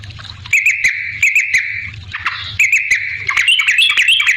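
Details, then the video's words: Brief burst of yellow-vented bulbul song meant to draw responses from other bulbuls: bright chirping whistles in two short phrases, the second louder and rising slightly, with faint clicks. "suara trucukan gacor ampuh bikin nyaut pancingan trucukan agar bunyi"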